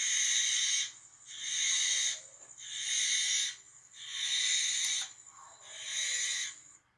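Barn owl giving long, harsh, hissing screeches, each about a second long, repeated five times with short gaps.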